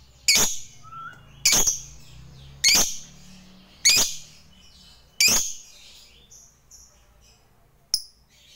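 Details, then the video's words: Chattering fighter lovebird calling out to a rival, meant as a lure to get silent birds singing: five loud, shrill, clipped calls spaced roughly every 1.2 seconds, then a pause and one last short note. "Lovebird GACOR MEMANGGIL LAWAN, HANYA Sesaat Dengar LB BISU dan GAGAP, Jadi GACOR NYAUT NGEKEK"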